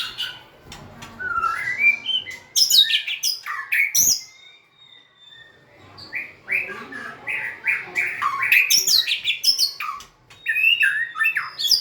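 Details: A white-rumped shama sings while dancing and tail-wagging: bursts of fast, jumbled chirps and whistles, a short quiet gap with a thin high tone, then a rapid chattering run of rising notes.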